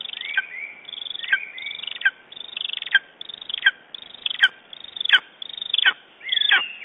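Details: Lesser spotted eagle calling in the morning in Estonia on 09.06.2011 gives a run of sharp, yelping notes that drop in pitch, about one every second, with no other clear sounds.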